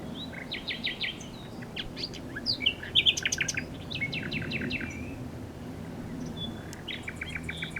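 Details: Common nightingale song of sharp, evenly spaced repeated notes in short volleys, interspersed with bright chips and brief pauses, over a faint low drone.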